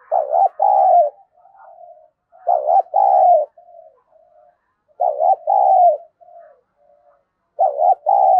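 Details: Spotted dove kept as a decoy to stir up rival doves, cooing steadily: four loud paired coos, each a brief dipping note followed by a fuller held note, separated by quiet muttering coos.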